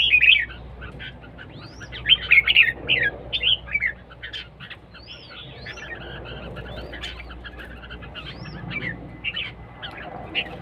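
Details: Siêng ché competition singing of red-whiskered bulbuls: quick rising whistles and scratchy chatter, loudest in the first three seconds, then thinner and softer scattered notes over a low constant hum.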